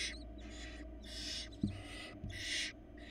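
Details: Hungry barn owl chicks, four in a Florida nest box, beg while the female delivers a rabbit; harsh hissing screeches in repeated half-second bursts, with a couple of soft thumps in the nest.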